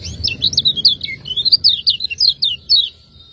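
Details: Lemon-bellied white-eye, Lombok cage-bird master recording in ciak ciak style: a loud, continuous stream of high, quick, down-slurred chirps repeated several times a second for over two and a half seconds.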